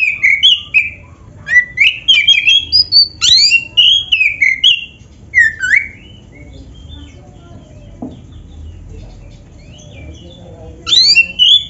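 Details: Black-breasted oriental magpie-robin singing vigorously with many mixed-in borrowed phrases, played as a lure for other magpie-robins: fast strings of bright whistled and warbled notes, a quieter middle stretch, then loud rising sweeps return at the end.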